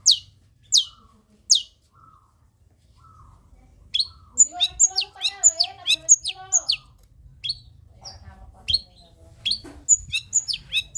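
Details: Long-tailed shrike in busy song, meant to get sluggish shrikes singing: a few separate sharp notes, then a rapid chattering stream of varied high chirps and warbled mid-pitched notes, with a faint low hum underneath.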